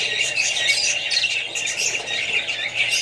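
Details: Australian budgerigars and other parrots with babies: fast, irregular chirping and squawking from many birds, a thick high warble with no quiet gaps.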